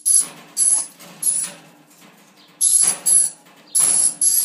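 A dusky lory gives harsh, grating screeches in short bursts, three quickly, a pause, then four more, each with a thin shrill edge.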